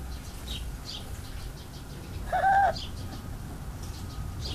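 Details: A goose described as sweet and happy gives one loud, nasal, slightly rising honk lasting under half a second, set against steady low background noise with faint higher squeaks.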